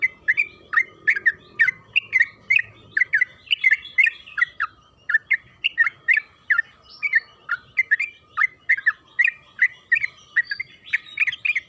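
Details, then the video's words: Sooty-headed bulbul, local trucukan kebo, song used as a lure to make other bulbuls sing: bright chirpy whistled phrases around mid pitch, repeated rapidly in a steady run of short notes, with faint low murmur early on. "Pancingan trucukan agar bunyi‼️Suara burung TRUCUKAN KEBO Gacor ropel Panjang"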